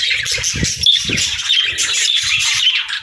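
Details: Pet budgerigar chattering indoors: dense, scratchy warbling with quick high chirps and clicks running without pause, plus soft low knocks and thumps underneath.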